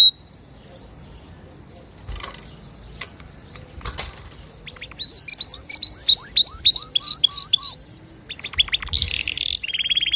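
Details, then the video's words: Male canary giving a pure song for teaching young birds; after scattered faint clicks, a bright run of looping whistles for about two seconds, then buzzy trills. "تغريد ذكر كناري صافي لتعليم صغار الكناري"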